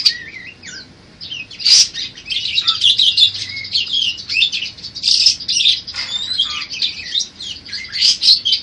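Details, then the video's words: Budgerigar song in varied styles, used as a tutor recording for training other songbirds: a continuous busy chatter of high, buzzy warbles and short whistled slides, with a brief pause near the start before the dense babble resumes. "Suara Kicau Burung Parkit Berbagai Variasi Untuk Masteran atau Pancingan"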